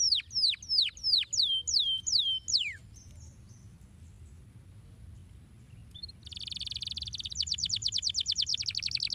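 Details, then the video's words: Canary song aimed at stimulating canaries to sing: a run of downslurred whistles, a quiet gap of several seconds, then a buzzy burst and a fast trill. "Como estimular rapidamente o som do canário para que você seja diligente no chilrear!"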